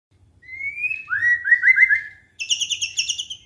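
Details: Song of a magpie-robin, played to coax a silent bird into singing: a thin rising whistle, then several bright slurred notes, followed after a short gap by a rapid high, buzzy trill.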